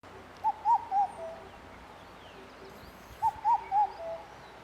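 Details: Indian cuckoo recorded on 3 June 2021, giving its distinctive four-note call: mellow, whistled hooting notes in a quick phrase, the third slightly lower, repeated about every three seconds against faint background hiss.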